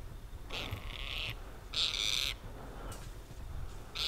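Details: Harsh, grating calls from a Tibetan partridge in Ladakh's mid-winter freeze, with two loud rasping bursts about a second apart and the start of a third, over low background noise.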